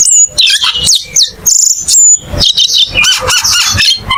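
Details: Cucak keling singing in a loud, varied stream of high whistles and chirps, with sharp sweeping notes and trilled bursts packed closely together over a few seconds.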